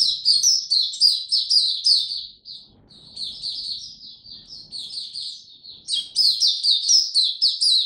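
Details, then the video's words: White-eye song from 26 March 2022, a warm, very humid day: high, rapid, tinkling warbles in three bursts separated by short dips, each phrase a dense chain of quick slurred chirps. "Mata Puteh Hercules buka sing warm n very humid weather"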